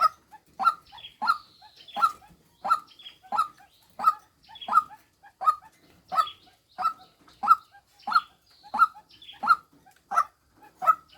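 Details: A female white-breasted waterhen, recorded as a lure, croaks monotonously: about sixteen rough clipped notes at a steady pace, with faint higher chirps from other birds in the background.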